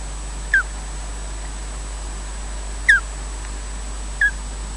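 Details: Nest changeover of ospreys at Loch Garten in Scotland, one bird slowly relieving its mate: three thin, falling chirps spaced unevenly over a few seconds, with quiet background hiss.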